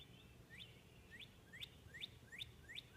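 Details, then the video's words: Before dawn, in the blue hour, a cardinal heard from a bedroom window delivers a run of six clear rising whistled notes, each a quick upward slur, spaced about two per second, over steady low outdoor noise. "Beautiful sounding Cardinal bird singing in the blue hour"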